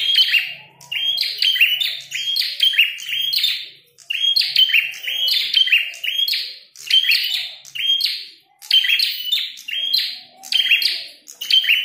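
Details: Red-headed prinia singing hard during a fight: dense, steady series of sharp whistled notes mixed with dry buzzing chatter, phrase after phrase with barely any gaps.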